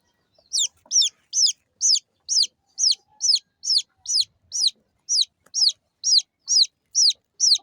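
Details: Small domestic chicks chirping: loud, high, downward-sliding peeps repeated steadily about twice a second, around seventeen in a row, against a quiet background.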